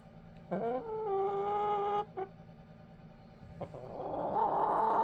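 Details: Backyard chickens sleeping over in a dog crate, a bit confused but calm: one rising, then steady, nasal drawn-out call of about one and a half seconds, a short note, a pause, and a rougher call building at the end.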